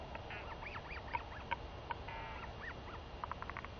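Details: Begging northern royal albatross chick, a daughter greeting her mother back from seven days at sea before being fed, May 2021; fast chattering series of bent, nasal squeaks, some buzzy and drawn out, with occasional soft knocks.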